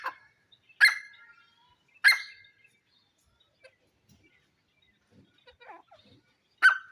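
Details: Jungle teetar, the grey francolin, uttering a few loud, harsh, grating notes spaced one to several seconds apart, with soft faint calls and long quiet gaps between them.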